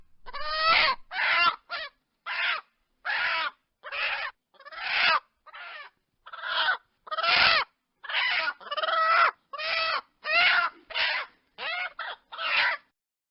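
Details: Clucking chickens give a long, uneven series of short, harsh, harmonic squawks, some clipped and some drawn out, packed closely over thirteen seconds with brief pauses and no background noise.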